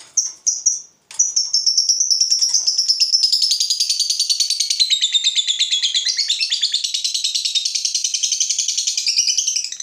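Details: A provoked fighter lovebird gives a few short chirps, then launches into a long ngekek: a nonstop, rapid, rattling trill of high notes that wavers in pitch for over eight seconds.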